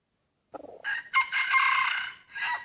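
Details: Hybrid red junglefowl rooster in a rubber plantation, drawn in quickly by a decoy rooster's crowing: one loud harsh crow with a short rising opening, a long sustained raspy middle and a brief closing note.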